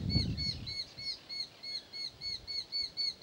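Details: A Eurasian hobby, one of a pair at its nest, gives a rapid, even series of sharp, slightly arched 'kew' notes, about four per second. A low thump sounds at the start.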